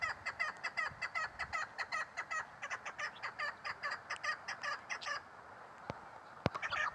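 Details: Female chukar partridge calling with a brisk, regular chain of short, rasping chuk notes for about five seconds, followed by a pause, two sharp clicks and a few final notes.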